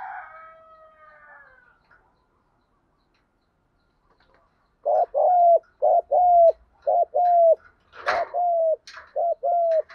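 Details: Lure spotted dove calling to the flock in the 'một hậu' style: after a faint fading tone, a steady series of short, hollow, low coo notes in pairs, with a few clicks and knocks between them.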